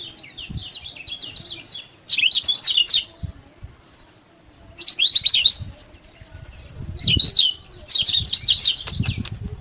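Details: Lemon-bellied white-eye in vigorous song, a master track meant to provoke rival birds and spur silent ones to sing; rapid, high, chattering twitter bursts of about one second, repeated four times with pauses between.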